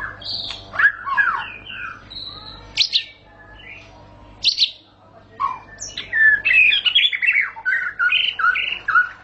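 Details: Murai batu, or white-rumped shama, singing varied whistles and sharp clicks, then a lively run of quick warbled notes rising and falling. The song is said to make shamas sing at once (ngentrok).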